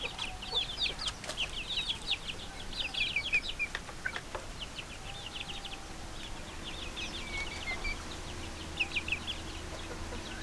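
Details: Chicks chirping in bursts, clusters of high thin peeps for a few seconds then quieter stretches with sparse cheeps, over a low background hum and occasional knocks.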